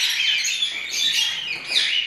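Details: Lovebird chicks being hand-fed warm formula by spoon give a steady stream of high, raspy begging chirps that overlap and swell without pause.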